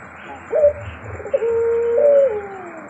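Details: Barbary dove, kept as a 'pelung' type, giving a short rising note and then a long, drawn-out coo that rises slightly and slides down at the end, over a low background rumble.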